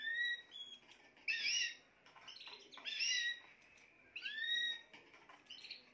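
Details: Spanish timbrado canary singing short separated phrases: bursts of bright chirps alternating with rising whistled notes, with brief quiet gaps between phrases.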